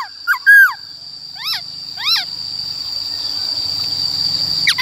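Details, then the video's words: White-cheeked laughingthrush singing in a wild forest style, used to train the voices of young birds: a few loud, slurred whistled notes and quick rising-and-falling phrases over a steady high electronic whine. "Khướu Bạc Má HÓt Giọng Rừng Bao Phê"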